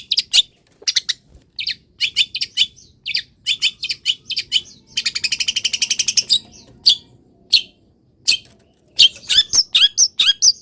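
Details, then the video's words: A caged long-tailed shrike (cendet), uncovered, misted and placed in morning sun, pours out a rapid 'full isian' medley: fast chips, a steady buzzing trill of evenly spaced ticks, then sharp scattered notes. "BURUNG CENDET SANGAT BAHAGIA KETIKA DI EMBUNKAN DAN KENA MATAHARI PAGI - CENDET GACOR FULL ISIAN"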